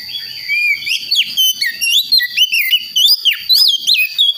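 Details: Young Oriental magpie-robin of the Priangan type, forest-born in West Java, learning its song from soft twittering toward the full ngeplong style: loud, rapid whistled notes sweeping up and down, in quick bursts with brief gaps, over a steady high tone.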